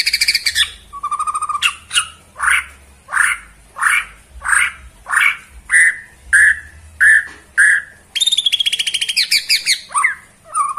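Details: White-rumped shama of the Borneo form, bowing as it sings, repeats a strong rich phrase about every 0.6 seconds, then switches to a rapid buzzy trill and scattered whistles.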